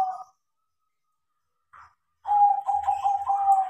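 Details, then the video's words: Trained crossbred zebra dove (perkutut) singing: a short coo, a faint note, then a sustained bubbling, trilled cooing phrase with a fine rhythmic pulse. "PERKUTUT CROSSING GACOR KARENA DIAJARI"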